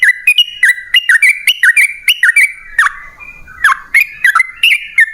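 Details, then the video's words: Yellow-vented bulbul song of loud, liquid, bouncing notes alternating up and down in quick pairs, with a short lull midway; used to make caged birds sing back. "Pancingan Trucukan PALING AMPUH! Burung Langsung Ngalas & Nyaut Gacor"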